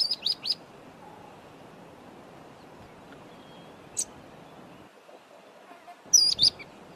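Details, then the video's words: Mousebird in Zambia giving short bursts of high, sharp chirps, one cluster at the start and another near the end, separated by a long quiet stretch with faint background hiss. "Mousebird || call"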